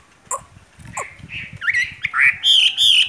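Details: Chinese hwamei, a caged wild-caught bird, opens with a few scattered chips, then builds into loud rising whistles that climb higher and hold steady at the end, with soft low tapping in the background.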